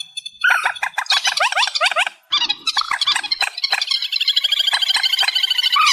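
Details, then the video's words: Loud, amplified reed warbler song with zigzagging harsh notes repeated several times, a short pause, then a dense, continuous rattling chatter. "Tiếng Chim Trích Ré 2024 Bản Tăng Âm"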